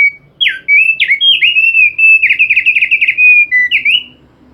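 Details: Thick-billed white-eye in persistent song: a continuous stream of clear, warbling whistles with swooping slides and quick trilled stretches, ending on a rising whistled note.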